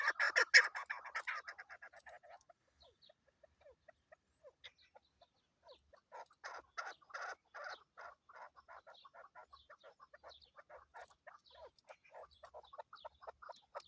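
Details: Female chukar partridge kept as a lure for hunting: a loud burst of rapid harsh notes at the start, then a long run of quieter, irregular clucking chuks with short pauses.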